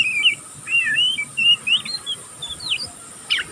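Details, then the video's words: Young oriental magpie-robin learning to sing gives loose ngeriwik twittering. Slurred, wavering whistles and brief chirps are spaced by short gaps, ending with one sharp upward note. "burung kacer pastol ngeriwik pastol paud masih belajar pokal ngeriwik tanpa putus"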